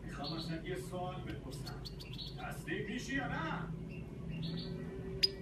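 A goldfinch twitters fast, high, tinkling notes mixed with buzzy trills and sharp chirps, over a steady low hum and background voices.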